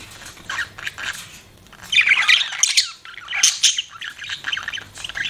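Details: Budgerigar kept as a pet chattering in dense, scratchy squawks and chirps, rising in loudness midway with rapid warbled notes.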